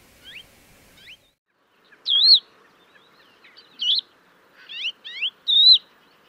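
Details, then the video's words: Crested lark from Córdoba singing: sparse, clear whistled phrases, some rising slurs and warbled loud notes, with brief silences between. "Cogujada común"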